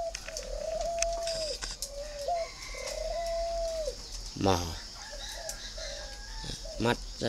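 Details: Spotted dove cooing in a run of smooth, level low notes with short slurred ends, followed by quieter calls and bursts of clattering noise.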